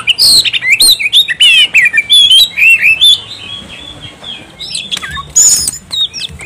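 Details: Oriental magpie-robin in excited, non-stop song: fast sequences of loud looping whistles and chirps, dense at first, then scattered sharp notes and rasping bursts against steady background noise.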